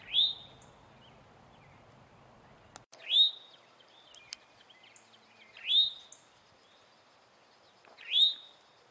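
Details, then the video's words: A male Eastern towhee repeats its warning call four times, roughly every two and a half seconds, each a bright rising slurred note; faint clicks and soft chips fill the gaps. "Eastern towhee call | Alarm / distress / warning sounds"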